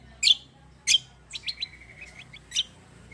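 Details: Black-winged myna in 'ngeroll gacor' song: two loud, harsh, high chirps, then a quick rolling string of thinner ticking notes, and one final sharp squeak.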